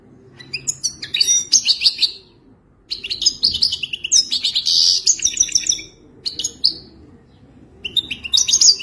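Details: Authentic Wadani song from a European goldfinch: several long phrases of rapid, high tinkling twitters and buzzy trills separated by brief pauses.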